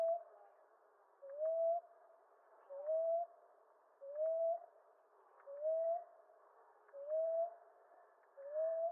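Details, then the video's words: Seven soft, low coos from a common ground dove, each a short upslurred note, repeated steadily about every one and a half seconds. "Ground Dove Sound"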